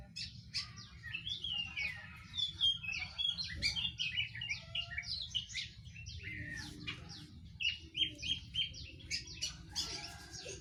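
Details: Young, untrained oriental magpie-robin giving a quick run of varied high chirps and short whistled notes, some sliding up or down, delivered in bursts with brief pauses throughout, over a faint low hum.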